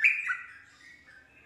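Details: Yellow-vented bulbul (trucuk) answering quickly and joining in song after being lured by another bulbul's song; a brief whistled note sliding down, then a softer, fading warble.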